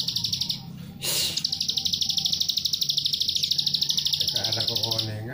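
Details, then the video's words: Luring song of a plain prinia, tight 'nembak rapet' delivery intended to make other prinias answer: after a brief noise, an unbroken four-second string of rapid buzzy pulses, with low talking audible throughout. "ciwah manapun 5 detik pasti langsung bunyi,,setelah mendengar pancingan ciwah nembak rapet ini"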